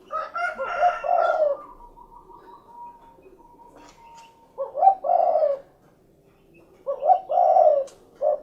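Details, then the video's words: Spotted dove cooing, cukurukuk kuk geruk: two low throaty phrases about two seconds apart, each stuttering into a long drawn note, preceded by a burst of mixed higher tonal calls and a thin faint whistle. "SUARA BURUNG DERKUKU / CUKURUKUK KUK GERUK"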